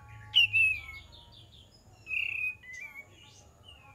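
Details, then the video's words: Olive-winged bulbul lure song: a rising note falling into a long, slurred whistle, followed by softer, level whistles with quiet spaces between. "PANCINGAN KAPAS TEMBAK DIJAMIN NYAUT"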